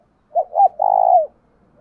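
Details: Spotted dove decoy, 'thổ đồng' voice, calling to attract other doves: one phrase of two short hollow notes and a drawn-out burry coo dropping at its end.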